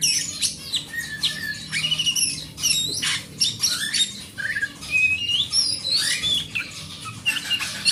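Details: Large-bodied oriental magpie-robin of forest stock, song used to coax silent caged magpie-robins into singing: dense, varied run of chattering, scratchy notes mixed with whistled slurs and sharp high chips, nearly continuous for eight seconds.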